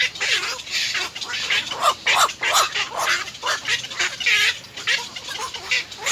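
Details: At nest 3, three young little egrets bite their mother for food, giving loud grating, squawking bursts that rise and fall in uneven pulses, several overlapping.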